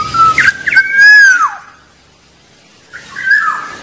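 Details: Wild black-naped oriole giving a loud, mellow whistled phrase that arches and drops away, followed by near silence and a softer whistle near the end; its song is said to lure rivals.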